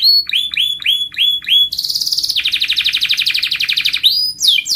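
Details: Vigorous panda canary song: a run of swooping whistled notes, then a long fast rattling trill, ending with clear rising and falling whistles.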